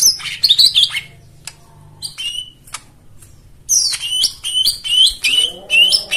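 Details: White-eye song played as a lure for white-eyes that have stopped singing: bursts of bright, high twittering and rapid chirps, a quiet gap midway, then dense warbling phrases with sharp descending notes.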